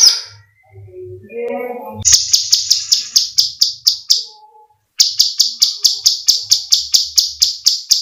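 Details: Sooty-headed bulbul (cucak cungkok) in a training recording of screaming calls: after a soft low warble, dry rasping high notes repeat about twice a second in two long runs.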